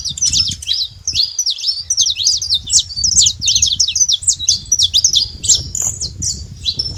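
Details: Saffron finch living free in nature delivering a steady, rapid series of high, sharp chip notes in a long rolling song, with a low hum of background noise.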